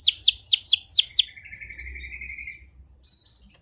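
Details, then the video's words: Hot-tempered male canary song for tutoring young birds and stimulating hens: five quick descending whistled notes, then a soft low sustained trill fading away, with faint higher notes at the end. "اقوى تغريد ذكر كناري حامي نار 🔥 ولا اروع للتسميع صغار الكناري وتهيج الاناث"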